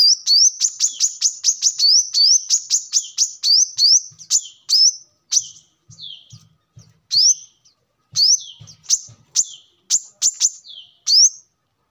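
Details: Brown-throated sunbird song as a lure or training model: a fast chirping opening with rising whistled slurs, then slower, spaced single upswept notes.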